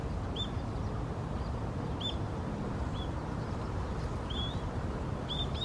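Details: A little grebe on the Tama River, Japan, giving short, high, slightly curved peeping notes at uneven one-to-two-second intervals over a steady low rumble of wind or distant traffic.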